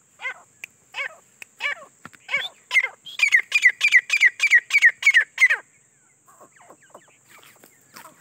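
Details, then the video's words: Teetar, the grey francolin, starts with spaced, slurred notes. These build into a rapid burst of about nine loud, harsh, ringing notes, then trail off into quiet scattered calls. "grey Francolin voice"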